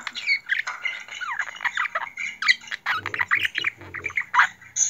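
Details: Pet budgerigar in Turkey mimicking human speech, said to say the word "Hasibe"; rapid chattering warble of squawks, clicks and buzzy syllables mixed with faint low hum, busy and continuous throughout.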